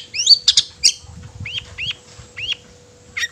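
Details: Long-tailed shrike singing to provoke rival shrikes: a few harsh broadband notes followed by spaced, rising whistled upslurs roughly every half second, with a low constant hum beneath.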